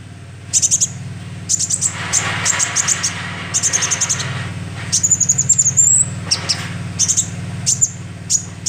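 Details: Calls of a young sunbird used as a lure, with clustered high, sharp chip notes and a thin rising whistle around the midpoint, set against a low hum and a broad band of rushing noise.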